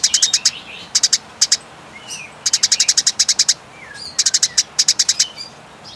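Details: Eurasian tree sparrows fighting, a loud clear call used as a master tutor for songbirds: bursts of sharp, high chirps in rapid runs of four to eight, with short pauses between bursts and faint thin notes in between.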